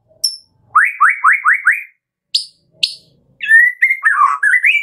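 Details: Morning lure song of a Medan-type white-rumped shama, meant to make captive birds sing: five rising whistled slurs in a row, two sharp high notes after a pause, then a fast varied warble.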